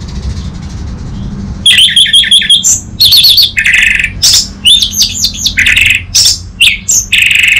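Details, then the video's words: Orange-headed thrush song starting after a quiet second and a half: long, dense sequence of varied whistles, chirps and trills with brief breaks between phrases. "Pancingan dan Masteran Burung ANIS MERAH Bahan"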